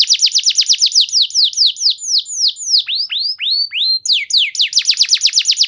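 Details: Canary song used as a lure to provoke other canaries into long, loud singing: rapid trills of downward-sweeping high notes, slowing into longer falling slurs, then quickening again into fast repeated sweeps.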